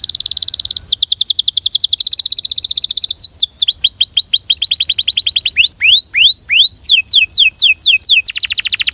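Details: Rhythmic song of a Belgian canary, changing between rapid high trills and series of downward-sweeping whistled notes, some deeper and slower, before a final dense trill.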